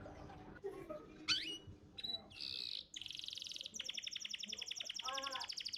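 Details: Champion contest canary's training song for young birds: scattered sharp upslurred notes and short buzzy bursts, followed by a long, rapid, high rattling trill of evenly repeated notes.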